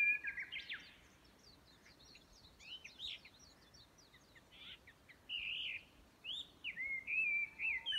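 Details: In Yamanouchi, Nagano, Japan, on May 12, 2020, a Chinese hwamei starts with a bright whistled burst, then soft scattered chips, then strong wavering whistled phrases that return in rapid succession toward the end.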